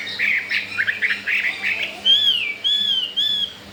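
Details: Newly obtained wild-caught Chinese hwamei, caged and showing breeding eagerness, opening with quick choppy chirps, then three long, pure whistled notes that glide gently downward.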